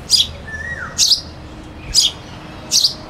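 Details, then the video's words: Sparrow chirping while a cuckoo sings in the background: four quick, high chirps, some doubled, less than a second apart, with one faint sliding whistle between the first two. "sparrow bird sound (with cuckoo singing in the back)"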